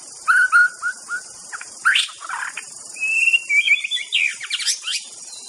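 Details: White-rumped shama singing a varied song: low clear whistled phrases at first, then a burst of rising notes and higher, warbled and sliding whistles, all over a steady high hiss in the background.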